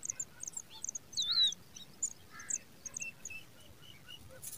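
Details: Pipit chicks in grass on the ground: a scatter of very high, thin cheeping notes, short and sharp, with a louder wavering whistle near the middle and a few lower chirps.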